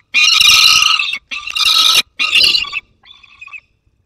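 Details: Peregrine falcon juvenile with prey, Barycz Valley, 30 August 2022, another falcon present: three loud raspy screams in a row, followed by a softer, thinner trailing call.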